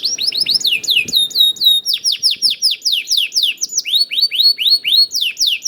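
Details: Canary lure song from a young bird, played to prompt other canaries to sing: a rapid run of downward-slurred chirps, about four each second, broken by a brief pure whistle.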